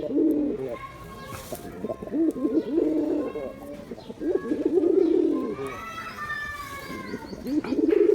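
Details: Repeated deep rolling coos from a performing male Giribaz pigeon, several bursts across the stretch, with higher chirping of other birds in between.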